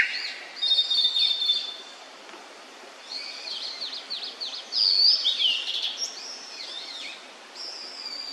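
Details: Song of an immature blue-and-white flycatcher: an opening whistled phrase, then a long rapid run of chirping, slurred notes, a bright upswept whistle, and a final high phrase over light background hiss.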